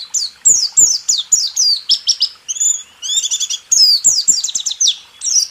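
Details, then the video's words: Masteran of white-eye song in rool tembak style, 2023: energetic high sweeping whistles interrupted by a short buzzy trill, then more rapid slurred chirps. "Masteran burung pleci..rool tembak terbaru 2023"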